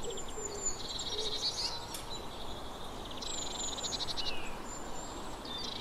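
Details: Eurasian blue tit makes several buzzy churring bursts with thin high notes mixed in, over a constant background hiss and a few faint low notes.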